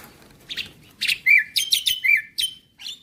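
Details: Javan myna singing loud, clear notes: buzzy chirps broken by drawn-out whistles that dip slightly in pitch, packed into short rapid bursts.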